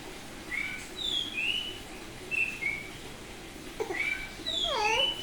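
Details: Semi-tame Bali oriental magpie-robin singing ngeplong: separate clear whistles, several slurred down and upward, spaced through the phrase, ending with a denser burst of overlapping whistles and lower sweeping notes.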